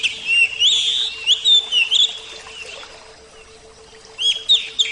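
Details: Javan-type oriental magpie-robin, a kept bird, delivering loud sweet whistled phrases with quick up-and-down slurs, a long quiet gap, then further short bright notes over a faint constant hum.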